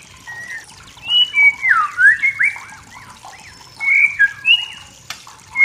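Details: White-rumped shama from the forest singing to stir rivals, with looping whistled slurs and rising-falling notes in two rapid bursts and a sharp click near the end.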